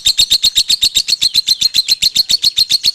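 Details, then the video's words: Lovebird in konslet song, pouring out piercing, evenly spaced chirps at roughly eight per second without a break. "LEGENDA LOVEBIRD KONSLET KUSUMO || SUARA ASLI LOVEBIRD KUSUMO"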